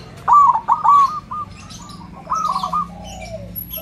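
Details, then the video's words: Loud-voiced perkutut (zebra dove) singing as a training lure: a strong rolling coo phrase of quick beaded notes, a pause, then a second trilled phrase trailing into a fainter descending coo. "Perkutut suara besar PULEN"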